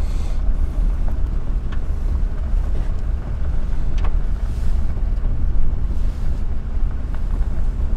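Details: Heavy wind buffeting the microphone, making a loud low roar with a few faint clicks, and no animal calls.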